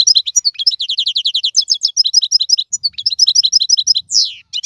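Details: European goldfinch, a wild bird from the 2022 season, pours out fast runs of bright repeated chirps and tinkling notes, a brief lull midway, then a rising slurred note before more twitters.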